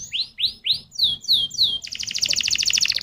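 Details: Lure recording of canary song meant to set other canaries singing: loud rising whistled notes repeated about every quarter second, then sharper downslurred notes, ending in a rapid buzzy high trill.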